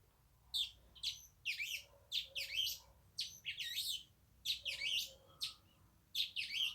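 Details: Brazilian tanager (tiê-sangue, Ramphocelus bresilius) song: a series of short, sharp, high, slightly rasping chirped phrases, about twelve bursts in quick irregular groups.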